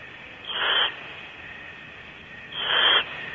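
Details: A pair of adult owls approaching a nest cavity at night, 10:25 pm at Starr Ranch: two harsh hissing screech-like calls about two seconds apart over steady background hiss.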